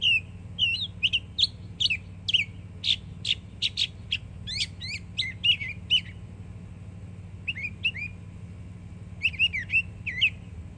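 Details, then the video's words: Northern mockingbird, a yearling in Florida, pouring out song: rapid sequences of sharp chips and upswept whistles repeated in bursts for six seconds, a pause, then further clusters of repeated chirped phrases; steady low background noise. "Yearling Florida Mockingbird Goes Hard 🎶💯 Beautiful Songs"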